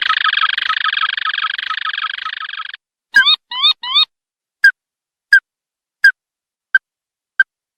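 Ruddy-breasted crake giving a dense, harsh trill for nearly three seconds, then three quick upslurred notes and single hard 'tewk' notes that slow to about one per second.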